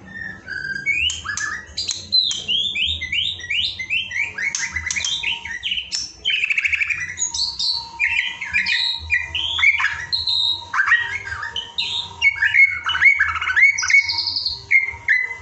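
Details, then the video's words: Caged white-rumped shama delivering isian filler song, a continuous stream of varied rising and falling whistled notes, quick chips and short warbles packed tightly together, with a constant low electrical hum underneath. "bongkar isian murai batu"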